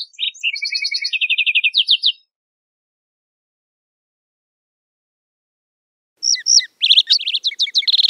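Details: A wild lark sparrow gives two song bursts: first a chattering sequence of trills and steady repeated notes, then after a long pause a rapid cluster of high, sliding chips.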